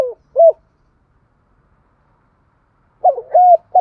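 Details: Spotted dove decoy luring other doves with its call: a short soft coo at the start, a long pause, then a rolling, slightly quavering three-part coo phrase.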